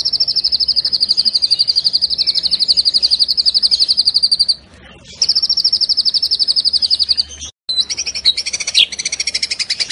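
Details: White-rumped shama in lively song with rich mimicked fill-ins and rapid-fire bursts: a fast, high, evenly pulsed trill of about four notes per second-beat, a short break, another long trill, then varied warbled notes.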